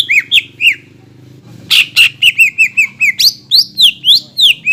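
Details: Greater green leafbird singing hard as a lure to provoke other green leafbirds: a few whistles, a quiet gap, then a loud run of rapid repeated whistled notes, rising and upswept, about four per second; low hum.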